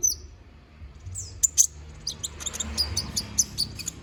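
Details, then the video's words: Konin bird in full-repertoire gacor song, a tutor recording for magpie-robins: a high thin whistle, then quick sharp chirps and tiny slurred notes, growing denser toward the end. "MASTERAN BURUNG KONIN GACOR NGOBRA FULL ISIAN!"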